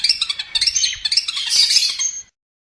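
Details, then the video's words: Long-tailed shrike master song for training birds: harsh, squawking high chatter with quick clipped notes building into a grating burst, then abrupt silence. "MASTER BURUNG CENDET"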